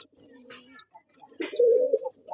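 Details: Domestic pigeon chicks inside a hobby pigeon house give low, soft, wavering calls with brief rustling bursts in between.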